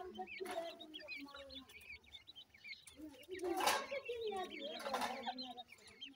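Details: Francolin chicks calling: a busy chorus of thin, high, wavering peeps that overlaps throughout, with lower soft clucking notes beneath and two loud rustling bursts.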